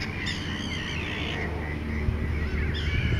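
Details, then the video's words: Colour-ringed red-ringed Mediterranean gull (HK48), 3 July 2013, at Montjean-sur-Loire on the Loire: nasal, slightly rising calls around two to three kilohertz, with other gulls calling and a steady low rumble of wind or traffic. "Mouette mélanocéphale"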